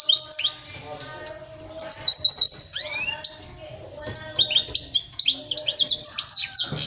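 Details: European goldfinch song for teaching young birds to sing: quick high twittering phrases with tinkling notes and short rising and falling whistles in bursts, with a faint low hum beneath.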